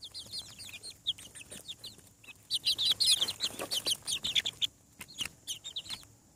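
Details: Farm chicks hatching from their eggs peep rapidly, a busy chorus of shrill downward-sliding chirps that swells loudest midway, with several birds calling over one another.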